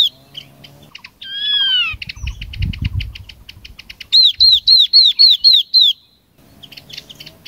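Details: Lure song of the Chinese hwamei, meant to call in a flock. Opens with a slow descending whistle and rattling chatter over a low rumble, then a crisp run of six identical, looping whistled notes, before fading to quiet.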